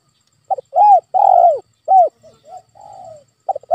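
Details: Single spotted dove phrase meant to draw a reluctant caged dove into calling: two short lead notes, a long swelling coo, a clipped coo, soft low notes and a drawn-out falling tail.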